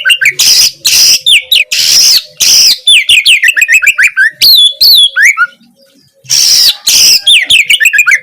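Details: Gacor song of an Oriental magpie-robin, played to spur a reluctant kacer into song. Harsh grating bursts alternate with quick whistled trills and upslurs, and there is a brief pause around six seconds.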